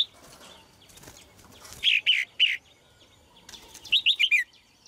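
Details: Female red-whiskered bulbul: three separate bright whistled notes, then a rapid run of four descending whistles, with soft rustling and faint background noise.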